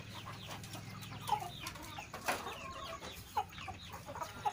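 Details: Egg-laying hen in a North Sumatran village, Sei Rampah, Serdang Bedagai, giving an unusual strained voice locals call dragon-like; short, rough single calls roughly once a second, fairly quiet against a low background hum.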